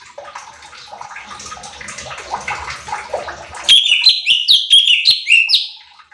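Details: Cucak cungkok bulbul training recording meant to excite other birds. A blurred, noisy stretch gives way after a few seconds to a bright run of repeated whistles, each note sliding downward in a quick chain.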